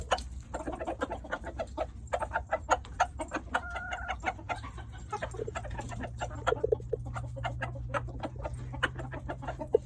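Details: Rooster making funny noises while being given treats: a steady stream of quick, choppy clucks with a brief tonal note near the middle, over a low background hum.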